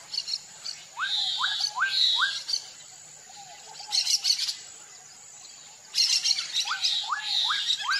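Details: Black-capped donacobius song of quick rising whistled notes in rapid groups of three or four, mixed with scratchy high chatter, a pause, then another burst of rising whistles.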